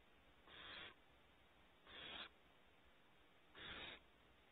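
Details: Curious barn owl owlets at their nest cavity, Starr Ranch, California, give three drawn-out rasping hisses, separated by about one and a half seconds of quiet.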